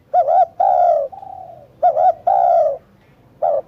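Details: Spotted dove delivering two phrases of a wavering short note followed by a long, even, descending coo, with a fainter trailing coo after the first.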